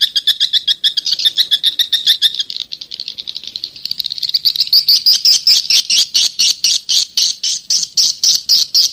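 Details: Swiftlet call from the 'SP jadul 1972' lure recording for attracting swiftlets: a quick train of sharp, high chirps that starts rapid and tight, then becomes more spaced, clicking pulses, about four per second.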